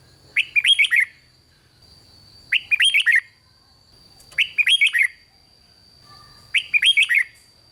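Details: Four matching phrases of quick, mellow, warbled whistles, repeated about every two seconds: rik song of the red-whiskered bulbul, used to excite other bulbuls. A steady faint high hum runs throughout.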